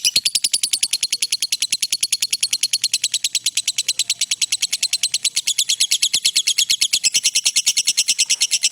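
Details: Lovebird in a long continuous trill used for training other birds: fast, regular, high-pitched buzzy pulses running without a break for the whole stretch.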